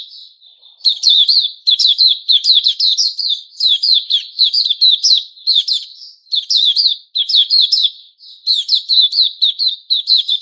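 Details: White-crowned shama, caged bird regrowing feathers, 06-09-2021, delivers long energetic strings of rapid melodious whistles and chips, broken by brief pauses, with a soft opening warble.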